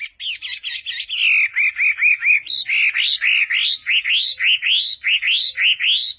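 Red-billed blue magpie opening with a harsh, buzzy chatter, then loud, rising whistled notes repeated about three times a second. No other sounds.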